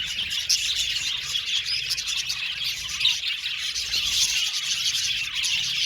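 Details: A colony of budgerigars in an aviary, singing and chirping together: a dense, continuous wash of high, scratchy chirps and warbles with short sharp notes popping out. No other sounds stand out.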